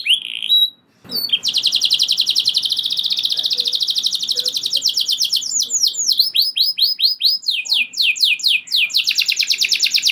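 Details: Canary delivering a long rolling song that provokes other canaries to join in; after a short opening note and a brief gap, a fast steady trill of identical high notes runs for seconds, then breaks into slower looping swoops and resumes the roll.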